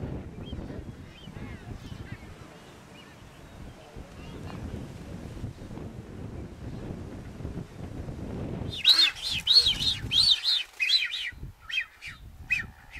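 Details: Nazca booby in the Galápagos, Ecuador, recorded in May 2012: after a long stretch of low wind rumble, a burst of loud, harsh, broadband calls comes in quick succession over the last few seconds.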